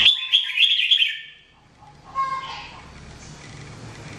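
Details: Red-whiskered bulbul training song: one quick run of chirpy whistled notes lasting about a second, then a quieter lower phrase and steady background noise.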